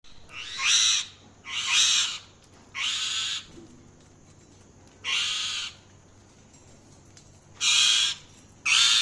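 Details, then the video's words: Parrot giving loud, harsh, broadband squawks, each about half a second long, repeated roughly every one to two seconds with a longer pause midway; quiet background between calls. "Parrot Chirping Sounds | Parrot calling sound"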